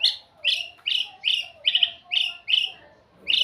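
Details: White-rumped shama singing sweetly: a steady series of bright chirps, roughly three every second, some doubled, over a faint low hum.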